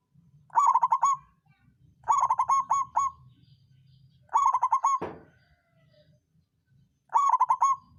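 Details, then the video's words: Local songgo ratu zebra dove singing to spur lazy birds into song: four rapid stuttering coo phrases, roughly every two seconds, with a single sharp knock and faint low hum between. "Perkutut lokal songgo ratu suara pancingan naikan birahi lawan ampuh buat terapi burung malas bunyi."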